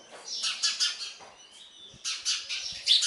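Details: Nestling sparrows fed by their parent utter bursts of rasping, high chirps, a short quiet gap with a thin whistle-like tone, then another eager chirping burst.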